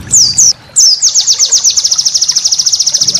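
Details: White-eye master song for training cage birds, full of rapid 'tembakan' bursts: a few high, sharply falling whistled notes, then a fast run of about twenty short, even chirps at very high pitch.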